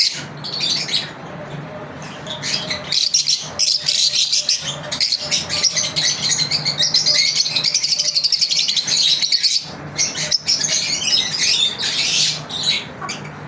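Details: Daily routine of pet lovebirds: a steady stream of shrill chirps and buzzy rapid trills from several birds, busiest in the middle, a soft low hum throughout.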